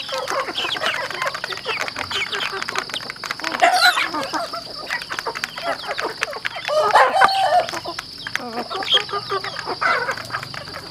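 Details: Chickens on a farm feeding, with dense clicking and pecking noises and occasional brief clucks and squeaky notes from several birds over a constant high hum.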